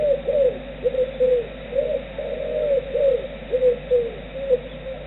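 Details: Roosting Tawny Owl responding to its mate's distant call with a chirring, warbling reply, a string of quavering, slightly falling trilled notes repeated roughly once a second over faint steady hum.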